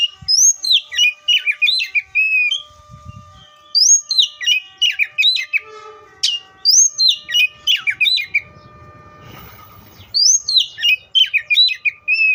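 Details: Oriental magpie-robin song in repeated bursts roughly every three seconds, each a quick tumble of bright whistled slurs dropping in pitch, with a faint low thump and brief hiss between phrases.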